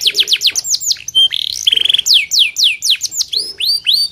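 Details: Canary from Rembang in loud, fast song: a rapid string of high, steeply falling whistled notes, broken by short rattling trills and a steady buzzy note, then more quick descending sweeps.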